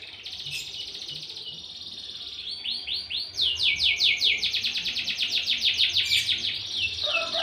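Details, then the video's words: Canary singing at a village breeder's cage setup, a long rolling song of rapid high trills and repeated slurred notes, building from a softer start into loud pulsed phrases, steady faint background hiss. "Manuk ndeso#kenari"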